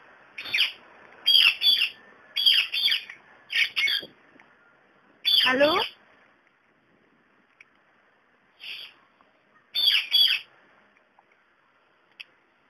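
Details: Indian ringneck parakeet, a pet male talking to a mobile phone: bursts of harsh, raspy mimicked speech syllables, some doubled, one long sliding squawk, separated by short silences.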